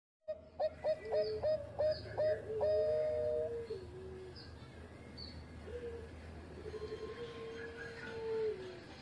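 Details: Zebra dove of the Bangkok type, singing vigorously, recorded as a master song for training other birds: a quick run of short clipped coos, then long drawn, slightly falling cooing notes. Faint low hum underneath.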